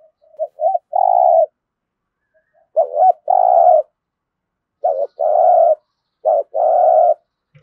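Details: Spotted dove in the 'thổ' voice style, used as a calling lure for newly caught birds: four phrases, each a short dipping note followed by a long, full coo, spaced roughly every one and a half seconds.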